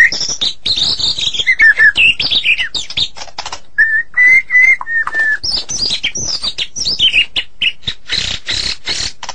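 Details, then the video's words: White-rumped shama of the Medan type in super gacor singing form: a varied run of clear whistled phrases, some sliding down, mixed with fast dry chatter and short sharp notes, with a few brief pauses between bursts. "Murai Batu Medan Super Gacor Durasi Panjang"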